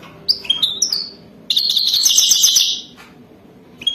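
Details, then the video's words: European goldfinch singing for mating in a style described as wadani: several sharp high chirps, then a bright run of rapid, tinkling twitters and trills lasting over a second, with a final chirp after a pause. "تغريد حسون وداني"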